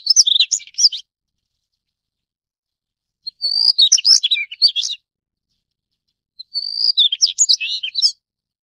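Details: Daurian redstart, Phoenicurus auroreus: three quick bursts of thin whistled notes and dry chattering twitters, each lasting around a second and a half, separated by roughly two seconds of quiet in a clean recording.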